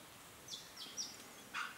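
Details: Restless flycatcher (Myiagra inquieta) in the Capertee Valley, NSW, gives a few faint, high, scratchy notes, then a louder rasping burst near the end, over quiet background hiss; the footage is from a cool June 2019 late afternoon before sunset.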